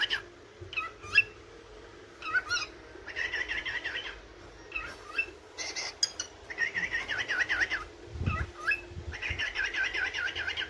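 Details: A yellow cockatiel, a pet that sings every morning, gives short rising whistles, then longer runs of bright, warbling chatter in bursts of a few seconds, with a soft thump partway through; it calls its owner and grows excited when guests visit.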